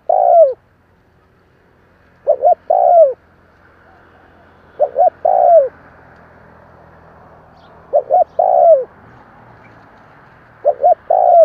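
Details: Spotted dove repeating its kích bổi coo, meant to stir a wild-caught bird: two clipped hoots then a long falling note. Phrases come roughly every two and a half seconds over a soft hiss.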